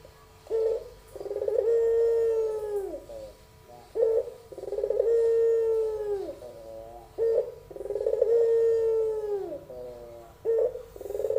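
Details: Young albino puter dove repeating its melodious pelung-style song, three long drawn coos with falling endings, each introduced by a short note, about nineteen phrases a minute.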